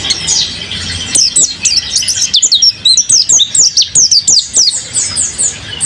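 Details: Kept mountain white-eye singing vigorously: a fast, high twittering of thin chirps, then from about one second a steady run of sharp downslurred notes in quick succession, with faint room noise beneath.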